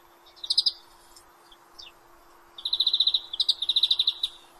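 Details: A European greenfinch gives a brief chirped trill and a few scattered notes, then two quick rattling trills of evenly spaced bright notes, one straight after the other.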